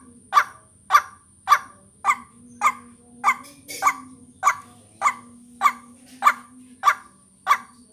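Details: A steady series of loud, harsh croaks from a white-breasted waterhen, about thirteen in eight seconds, from a recording used to lure birds and for vocal training. A faint high whine persists.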